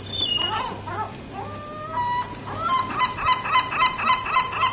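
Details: Gulls gathered noisily together, several calling at once: sliding squeals at first, then a rhythmic run of repeated yelping laugh-like notes, about four per second, over constant background rumble.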